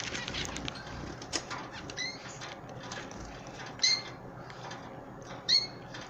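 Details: Canary chicks and an older canary being hand fed as pets; two short, high, slightly rising calls about one and a half seconds apart, with clicks and rustling between them.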